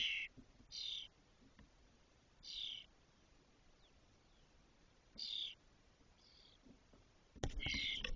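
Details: Fully feathered spotless starling chicks, six in a cork oak nest in Doñana, 2023, ready to leave; well-spaced hoarse raspy bursts, fainter and farther apart, ending in a loud rustling clatter.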